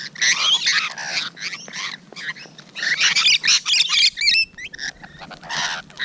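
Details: Rainbow lorikeets at close quarters on a June 2017 morning: bursts of grating screeches and rapid squeaky chatter, with a few clear, sharp upward squeaks around the middle.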